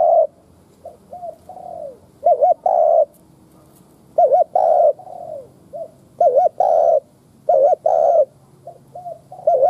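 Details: Spotted dove kept as a lure bird, cooing 'gù kích bổi' style to goad wild doves: a steady run of phrases, soft short lead-in notes then a wavering double note and a drawn-out mellow coo, repeating every second or two.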